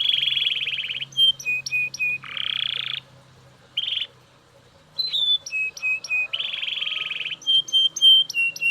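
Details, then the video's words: Belgian canary song of harsh buzzy rolls alternating with short repeated whistled chips, broken by a silent gap near the middle. "Super Loud Belgian Canary Singing"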